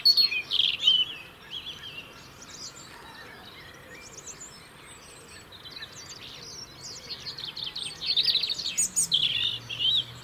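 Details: Singing European robin in the UK, keeping up a winter territory: high, varied phrases of thin whistles and quick twittering. A loud burst opens, softer notes follow, and a dense rapid run comes near the end, with faint background hiss.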